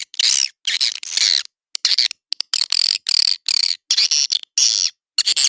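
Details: Edible-nest swiftlet call meant to draw birds into swiftlet houses: repeated short buzzy chirps with a strident high tone, each about a third of a second, in quick succession with silent gaps.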